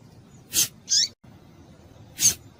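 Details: Female double-collared seedeater giving calls meant to stimulate males: a quick pair of high, bright chips followed by a third after a pause, with faint low rumble behind.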